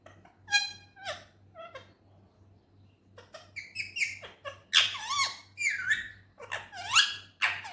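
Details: Indian ringneck parrot talking in a natural voice: a few clear harmonic syllables, then a run of quick, squeaky, speech-like bursts with short gliding notes and brief pauses, recorded indoors against a faint steady hum.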